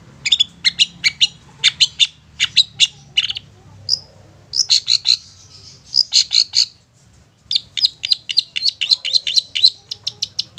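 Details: Long-tailed shrike giving a single-note upright call used as a lure for young or wild shrikes: sharp, high chirped notes in rapid bursts, some doubled, with brief pauses between runs and a faint low hum underneath.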